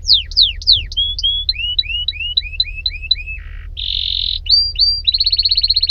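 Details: Varied canary song: steep descending sweeps, then a string of slurred rising-falling notes, a low buzz, a dense buzzy tone, two clear whistles, and a closing rapid trill.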